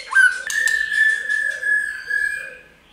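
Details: White-rumped shama song to prompt birds to sing: a sudden upswept whistle into a long sustained steady whistled note with faint wavering, clicks at the start, soft low chirping behind.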